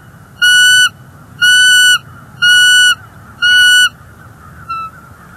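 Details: An intruder bald eagle perches near a nest in Northeast Florida while the resident female voices her displeasure, recorded on a nest cam in January 2024. Four even, sustained whistled notes come about once a second, then a softer short one.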